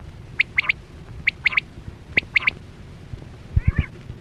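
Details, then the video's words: Chora quail (batera), recorded in a hunting context with a net: a liquid three-note call, one note then a quick pair, three times about a second apart, followed by a few dull knocks. "Sound Of Chora Quail Batera"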